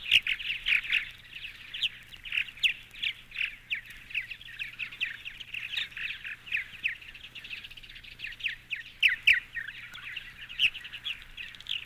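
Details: Purple Martin singing a long, continuous run of gurgling, chirping and croaking notes in a dense, unbroken chatter, with a few sharper clicks scattered throughout.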